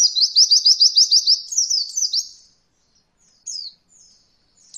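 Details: High, fast rolling phrase from an Oriental white-eye, used as a training song for beginner birds learning 'roll voll': a string of quick slurred notes for two seconds, then silence and a lone downslurred chirp.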